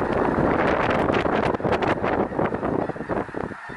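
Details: Thousands of snow geese flocking near Minot, North Dakota, make a continuous roaring clamor of overlapping honks and yelps with no gaps, a dense wall of sound.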